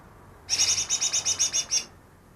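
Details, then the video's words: Recently trapped greater green leafbird, said to copy ten other birds' voices: a burst of about ten quick, high, evenly spaced chirps lasting over a second, then silence. "burung cucak ijo yang bisa meniru 10 suara burung lain"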